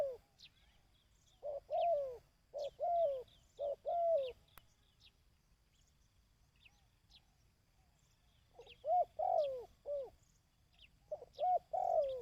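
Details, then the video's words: A dove calls in sessions meant for training decoy birds. Groups of three or four mellow, descending coos are separated by a long quiet stretch, with thin, high chirping faintly behind. "Tiếng Chim Cu|Kích Bổi ( Tập Mồi )"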